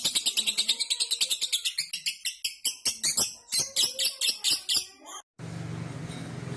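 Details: Vigorously singing lovebird, used as a song model for training magpie-robins: rapid, scratchy high chirps repeated over five seconds, then an abrupt break followed by a steady low hiss.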